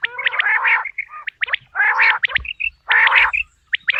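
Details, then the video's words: Quail calling, natural sound used for quail hunting in the 2026 season: bursts of buzzy, harmonic-rich notes alternate with sharp, clipped high strokes, in clusters roughly every second with short silent gaps. "بٹیر کی آواز"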